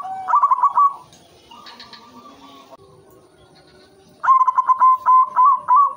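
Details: White zebra dove (perkutut) song, played as a lure to stimulate breeding: a brief stuttering coo phrase, then a quiet gap with soft higher chirps of other birds, ending in a loud, fast, rolling series of coos.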